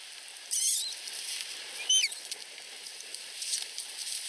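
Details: Osprey chicks, two hatchlings under a week old in Finland, whining for food from the female at the nest; two brief bursts of high, sliding squeaks separated by quieter rustling hiss.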